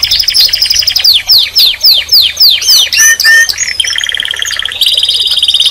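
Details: Canary in song: a run of quick descending slurred whistles, then fast rolling trills and a sustained buzzy tour, all loud and high-pitched, over a faint low hum.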